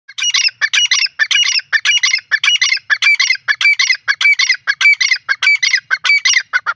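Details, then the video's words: Grey francolin roaming free, possibly female, giving loud harsh rapid notes in a dense repeated series, about two per second without pause, each note a scratchy squawk "gore teetar awaz francolin bolty huae azad khula ghomty huaey"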